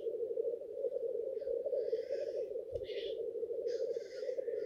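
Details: A dawn lek of male black grouse in courtship display: unbroken low bubbling song from the gathered birds, overlaid by three harsh hissing rushes and a brief thump.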